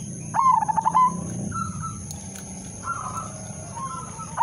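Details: Zebra dove, udanmas silver, singing a lure song to prompt other doves: one loud stuttering coo phrase at the start, then fainter, smoother coos, over low rumble and a constant high-pitched electronic tone.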